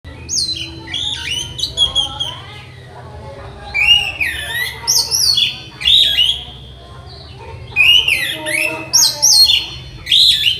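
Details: Orange-headed thrush trained as a song master, delivering loud varied song: sharp whistled notes, slurred rising and falling phrases and rapid chattering bursts in clusters, with brief quieter gaps and a low background hum.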